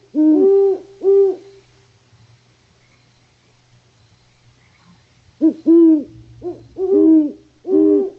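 Great Horned Owl giving deep, soft hoots: a pair of hoots, a pause of several seconds, then a faster run of five. No other clear sounds.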